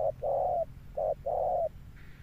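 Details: Male spotted dove cooing in the deep thunder style: a short hoot, a long mellow note, another short hoot and a drawn-out coo, then quiet over a low hum.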